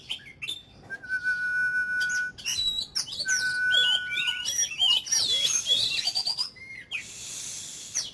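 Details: Ornamental Oriental magpie-robin singing 'kích lửa' fire-up song as daily voice practice: two drawn-out level whistles, then a rush of rising, twisting high notes and chirps, ending with a soft hiss.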